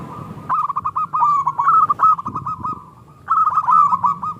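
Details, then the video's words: Local zebra dove singing the small "klung" style, a lure to make other doves answer: bursts of rapid, clipped cooing notes at an even pitch, with a quiet gap midway before a final burst, over a soft low hum. "Perkutut Lokal Gacor Suara KLUNG Kecil PIKAT Juara Pancingan Perkutut Macet Langsung Nyaut"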